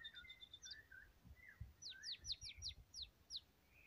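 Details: White-rumped shama in energetic song: a level high whistle and short warbles, then a quick run of seven sharp downward-slurred whistles, each note fast and clear over low background knocks.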